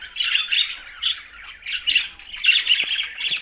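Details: Green budgerigars during a meal, tagged Larkana, Sindh, give close, bright chirping: raspy warbled bursts every half second or so. Short whistled squeaks break up the chatter.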